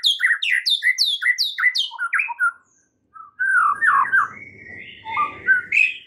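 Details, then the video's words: Shama lure song meant to push stressed birds into fierce singing: a fast series of repeated down-swept chirps, a short gap, then drawn-out slurred whistles and squeaky notes. "PANCINGAN Murai Batu satu ini mampu Atasi Murai STRESS seketika jadi GACOR NGAMUK"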